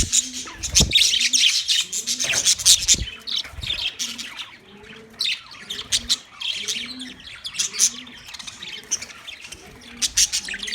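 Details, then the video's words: Budgerigars recorded on 9 March 2024, a flock chattering with dense, scratchy high chirps and squawks in overlapping bursts, over a steady series of low, rounded tones repeating about once a second. "Relaxing Sound Of Budgies"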